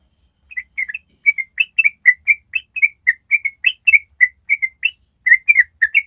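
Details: Ropel trill from a yellow-vented bulbul, meant to train other birds to join in: lively stream of short whistled notes after a brief silent start, fast and uneven in spacing, with faint low thumps.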